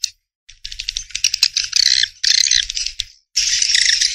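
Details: Bursts of swiftlet twittering, high and buzzy, delivered in three or four separate chattering phrases with short silent gaps between.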